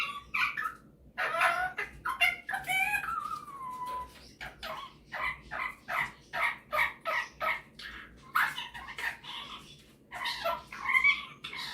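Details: A male Superb parrot kept as a pet shows off his singing and mimicking. He gives fast, choppy chatter of harmonic squeaks, then a falling whistle near the fourth second, followed by rapid repeated chirping.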